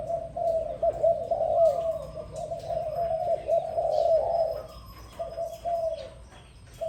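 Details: Morning call of a dove: a long unbroken run of low, throaty coos for about five seconds, then a short pause and a few quieter coos at the end.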